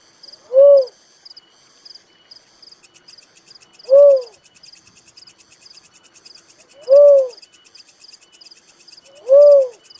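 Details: Four evenly spaced, short hollow whistles from a little cuckoo-dove, roughly every three seconds, against a continuous background of high-pitched insect chirping.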